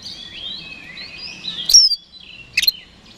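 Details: Kacer, or oriental magpie-robin, in lure song aimed at making rival birds respond; quiet rambling high warble, then a loud piercing whistle and a brief double chip.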